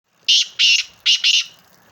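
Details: Black francolin calling: two pairs of loud, harsh, grating notes, each pair a short burst followed by a slightly longer one, the pairs about three quarters of a second apart, in a quiet setting.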